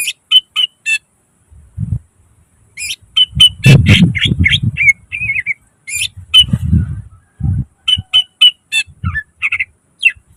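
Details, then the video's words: Greater green leafbird (cucak ijo) gacor song full of nembak bursts and isian phrases. Fast high chirps and trills repeat steadily, broken by several loud low thumping noises. "Suara cucak ijo gacor full nembak isian"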